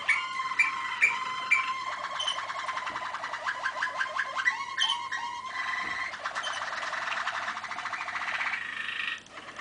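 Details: Malinois waterslager canary song from 2013, opening with sharp chirps about every half second, then sustained rolling, bubbling trills and gurgling tours that run on evenly before stopping near the end.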